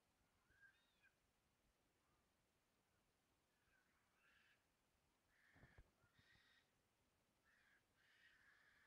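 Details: White-winged choughs warning of a nearly 1.5 m brown snake in a clearing on 5 May, calling off and on for hours, give harsh, grating rasps in short bursts every second or so, growing louder, with a dull thump midway.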